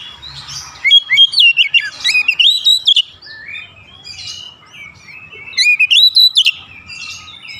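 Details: Oriental magpie-robin pancingan, a song to make birds excited: a dense burst of clear looping whistles, softer murmured notes in the middle, then another bright rising whistled flourish.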